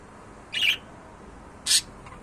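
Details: Two budgerigars kept as pets, giving two sharp, bright squawks about one second apart over a steady hiss in a room.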